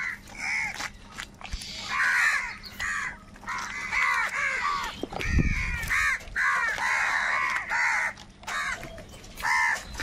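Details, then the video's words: A flock of crows fighting over food, continuous loud hoarse cawing from many birds, calls stacked and overlapping throughout, with a low thump around five seconds. "Crow fight scene - Crow bird Fight for Food | very loud voice of crow sound"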